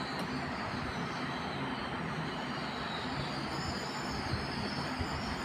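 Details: Loud, steady rushing noise like a passing train fills the recording, with no animal voice.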